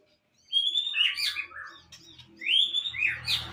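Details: White-rumped shama in moult, tail about 22 cm, delivering rich varied song: high slurred whistles sweeping down into warbled notes, two bright phrases separated by quieter chatter, faint low hum behind.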